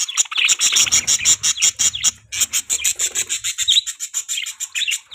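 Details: Budgerigar chirping: rapid, steady high-pitched chirps repeated about three per second, with a warbled chattering layer beneath in the first half.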